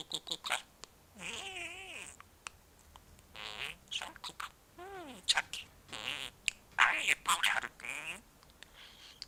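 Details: Twelve-month-old male pet budgerigar chattering to himself, a talker of Korean and Japanese words; soft bursts of warbled, speech-like chatter with wavering tones, interspersed with sharp clicks and squeaky notes.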